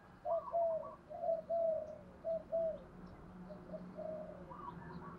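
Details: Decoy spotted dove with a 'thổ đồng' style voice, calling to lure other doves: a loud run of paired low coos, then quieter coos and a higher note at the end, with a faint steady low hum underneath.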